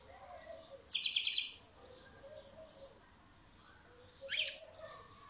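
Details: European goldfinch singing, two short bursts about three seconds apart: a rapid buzzy trill of stacked notes, then a quick rising twittering phrase, with faint low tones between.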